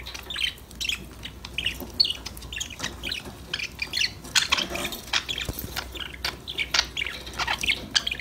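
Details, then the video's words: Several budgerigars chattering and playing: continuous scratchy warbles and short squeaky notes, busiest after the midpoint, over a faint low hum. "Your #budgies will start chirping, talking, playing"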